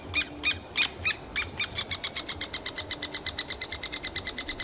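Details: Noisy three-toed woodpecker nestlings calling from their cavity while parents feed them in summer; shrill high notes, spaced at first, then quickening into a rapid, even, softer series of squeaks.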